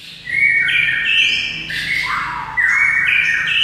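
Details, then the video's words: White-rumped shama in full song, played to get a shama answering: dense, overlapping high whistled phrases, steady and loud, with layered notes shifting up and down in pitch. "JADIKAN MURAI BATU NYAUT DALAM HITUNGAN DETIK SAJA"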